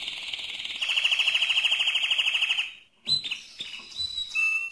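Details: Loud mosaic canary song: a sustained rapid rolling trill for nearly three seconds, a short gap, then varied chirps and clear whistled notes.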